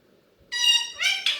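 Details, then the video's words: A pet Alexandrine parakeet, a talking parrot, speaks three quick, nasal, harmonic syllables within about a second in a high, rough, speech-like voice, against an otherwise quiet background. "bolne wala mitthu / talking parrot"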